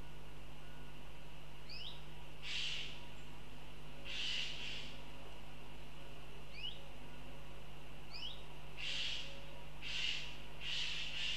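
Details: Northern goshawk in Riga, Latvia, giving rasping, noisy cries at irregular intervals, bunched toward the end, while a small bird adds short, thin rising chirps between them; a constant low hum runs underneath.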